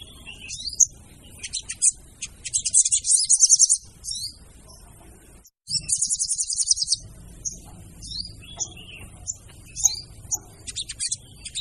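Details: Lure recording of a female crimson sunbird: thin, high chattering bursts mixed with scattered sharp chips and short squeaky notes, separated by pauses, with faint low background rumble.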